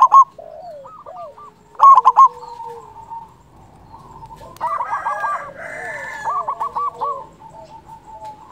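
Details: Local zebra dove, loud-voiced, used as a trapping lure and to arouse other doves. Two loud quick coo bursts early on, followed by a long stretch of softer overlapping cooing from several birds.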